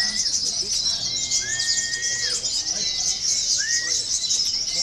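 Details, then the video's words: Konin sunbird of local stock singing a shrill, rapid, continuous twittering stream, steady in loudness, overlaid by a few long level whistles and short upward-swept notes, used as training sound for song-contest birds. "KONIN LOKAL BERAKSI || bisa juga buat terapi lomba"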